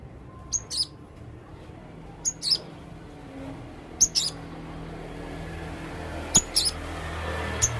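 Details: Male blue-crowned hanging parrot with a red throat, singing actively: short, very high thin chirps in pairs, spaced a second or more apart, over a low steady background hum.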